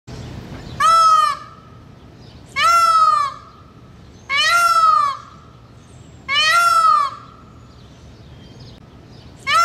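A peacock gives loud, nasal, wailing calls, each about half a second long with a strong harmonic ring, repeated roughly every two seconds.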